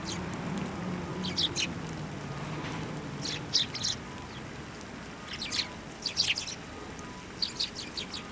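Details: Sparrows taking food from posts and from people's hands at a Tenmangu shrine on 24 November 2023. Short, sharp high chirps come in brief clusters of two to four, scattered through the clip over a low, steady background rumble.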